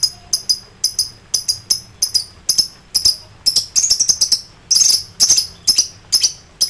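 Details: Lovebird in an excited state calling rivals, giving rapid high chirps, some doubled, with louder chattering bursts mixed in toward the middle.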